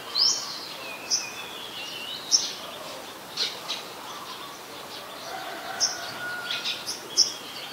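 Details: Olive-backed sunbird, a small bird common in the mangrove forest of the Sirinart Rajini centre, giving sharp, very high chips at irregular intervals, about seven over several seconds, over a quiet background hiss.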